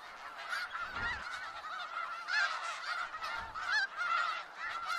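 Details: A gathering of snow geese in Skagit Valley: busy overlapping honking, loud nasal barks roughly every second or so over a constant background chatter of the flock, with brief low thuds.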